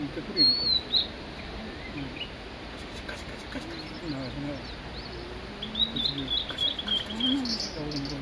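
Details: A male Blue-and-white flycatcher, recorded at Migitagatake, Japan, during a roughly four-minute solo song bout, sings high, clear whistled phrases in two bursts, sliding and wavering, over a soft murmur of observers' voices.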